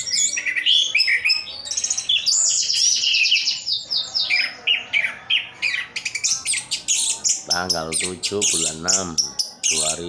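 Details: Caged orange-headed thrush in Sidoarjo, East Java, delivering dense, rapid song of high chirps, trills and sweeping whistles, later mixed with lower harsh, nasal squawking phrases in quick succession.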